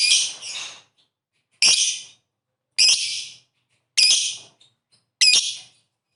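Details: Calling lovebird in the 'ngetik ngekek' style used to make other birds start singing; five short, harsh, rasping high bursts, each about half a second, spaced roughly a second apart.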